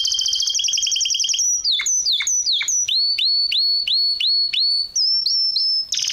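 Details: Canary song: a loud, rapid trill of high whistled notes gives way to a run of repeated swooping notes that drop sharply then level off, ending in another fast high trill.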